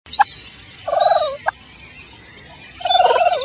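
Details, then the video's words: A wild turkey gives two soft, rolling purrs, each about half a second long, with a couple of short sharp clicks between them. "Turkey Purring"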